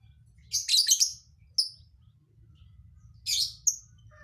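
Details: Lovebird with an odd, hard-to-predict song fill: a dense buzzy chattering burst, then a short sharp chirp, a pause, and another rasping burst ending in a clipped chirp, over a low background hum.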